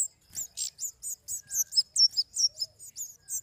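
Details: Flowerpecker repeating clipped, high, buzzy chirps about every quarter second, with a faint rustle near the start.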